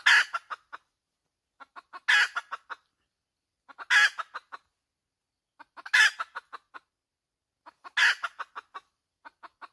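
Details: Regular hen cackling: a loud squawk followed by trailing clucks, the pattern repeating evenly every two seconds, five times, in an otherwise quiet setting.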